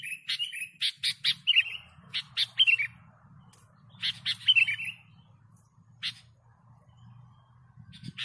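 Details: Lively sooty-headed bulbul song recorded for luring birds: clusters of sharp chirps and short downslurred whistles, delivered in a rapid run, then sparser single notes after a pause.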